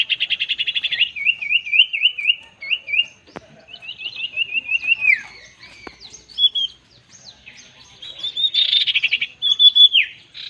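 Common iora giving high, rapid pulsed trills and wavering chattered phrases, ending in short bright whistles; a couple of sharp clicks are also heard.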